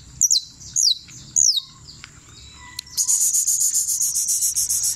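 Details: A champion criollo canary sings three high, sliding whistled notes about half a second apart, then breaks into a fast, rolling trill of rapidly repeated notes.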